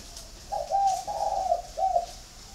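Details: Spotted dove kept in a flock at a Ba Vì, Hanoi bird garden in Vietnam: a single clear coo phrase, short first note, long wavering middle note, then a brief falling final note.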